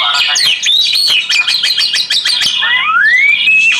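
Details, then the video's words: Kacer, or Oriental magpie-robin, song for relaxation therapy: a quick run of sharp clicking notes woven with whistles, ending in a long, clear, rising whistled glide. "Terapi KICAU KACER"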